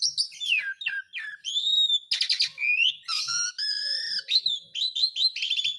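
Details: Asian pied starling song with a calling character, used as a lure to get lazy or stalled birds singing again: a fast mix of clear descending whistles, rising slurs and harsh buzzy bursts, varied note after note with brief gaps.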